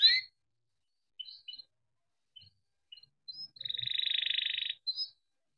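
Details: Canary song used to stimulate other canaries: scattered short chips and whistles, then one rapid rolling trill lasting about a second, closed by a rising whistle.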